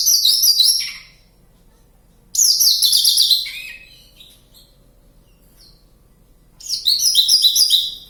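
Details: Javan bush lark singing energetically in the wild at Kediri, Java: three bursts of bright, rapidly stuttered high twitters, each descending to a lower rasping note, with about three seconds of near silence between.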